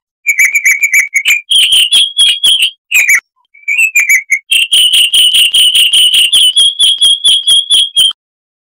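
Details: Clear, crystal-type singing of a chestnut-vented warbler from southern Africa: whistled chips in fast runs, a short pause near three seconds, then a long, even, rapid series of ringing notes.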